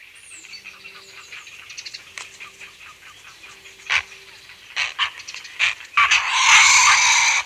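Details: Grey heron giving loud, harsh, rasping aggressive squawks at close range that build into a long grating outburst, with house sparrows and a starling chirping faintly in the distance; Kent.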